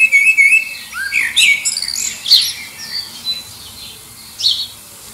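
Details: Common blackbird (Turdus merula) singing bright, varied phrases, a steady whistled note into quick squeaky twitters, final high chirp, competing with distant birds to attract a mate; aircraft noise partway through, under Liverpool airport flight path.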